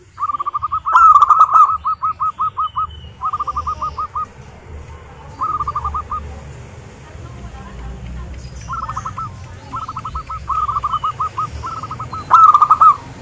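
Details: Zebra dove of local wild stock singing, played to lure other zebra doves into song: repeated short phrases of quick, bubbling cooing notes at an even pitch, separated by brief pauses, over a soft background hum.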